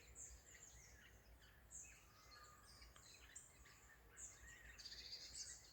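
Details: Several birds twitter at half past six in the morning in the Spreewald, Germany: high, scattered chirps and short trills overlap in a quiet rural dawn chorus with a low steady background hum.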